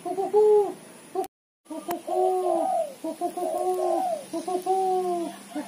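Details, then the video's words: Female spotted dove giving a chattering lure call: rapid runs of short arched coos and longer falling notes, nearly continuous, interrupted by a brief silent cut. "suara tekukur betina gacor ketrekan / derkuku betina gacor cetrekan untuk pancingan"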